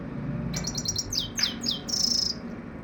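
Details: Common Iora, known locally as Saira: a quick run of five high, sharp chirps, then three descending slurred notes and a short buzzy trill at the end, with a low background hum.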